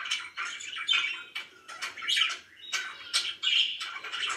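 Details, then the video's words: Happy pet budgerigars giving broken bursts of twittering and scratchy chirps separated by short pauses, with sharp clicky notes. "VERY HAPPY BIRDS #chirpingbirds #budgie"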